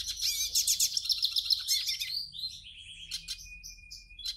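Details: Song of a caged hooded siskin, meant to warm up another bird: a rapid burst of buzzy, crackling notes gives way to clearer, spaced whistled phrases and a thin sustained tone.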